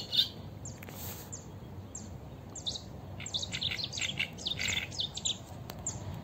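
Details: Eurasian reed warbler singing live at the Sarno River, Italy: scratchy, rapid chattering phrases with sharp high ticks, building into a denser jumble in the second half, against a low steady background noise.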